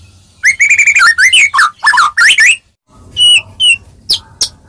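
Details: White-rumped shama giving a melodious song to provoke answers from other shamas: a rapid trill of repeated whistles, looping warbled phrases, a brief silence, then two clear level whistles and a final high note.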